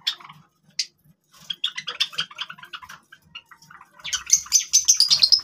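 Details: Java sparrows chattering: dense bursts of sharp high chirps and clicks, a rapid rising run of bright notes near the end, with soft low tapping underneath.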